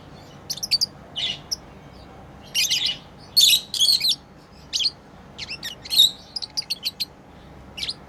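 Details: Pet lovebirds chirping while playing: short sharp high chirps and squeaky notes in scattered bursts, a few rapid clusters of three to five calls, with quiet gaps between.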